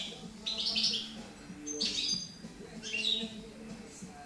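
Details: European goldfinch, a bird from 2013 in Girona, starting to sing: three short bursts of high, buzzy twittering separated by pauses over a steady low voice-like hum.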